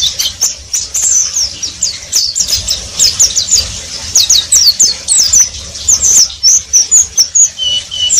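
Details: Oriental white-eye in continuous ngeriwik twitter, a fast rhythmic series of crisp high chirps, several per second, closing with a few thin drawn whistles.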